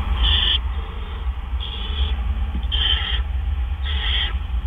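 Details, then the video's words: Food delivery to an owl at 4:03 AM, 12 April 2013: four short, scratchy bursts roughly a second apart, over a continuous low hum. "Dale Delivers Treat"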